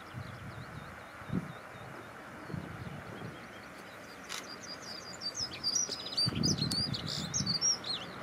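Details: Dunnock singing while perched on a yellow rapeseed plant in a field: a quick, high, jangling warble in the last seconds, with a low rumble of background noise throughout.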